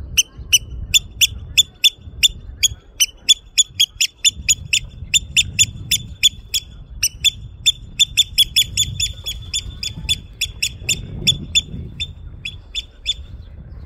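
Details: Oystercatcher in Norway in 2023 trying to lure the recordist away: a steady run of loud, shrill piping notes, about two or three a second, over a low rumble of wind.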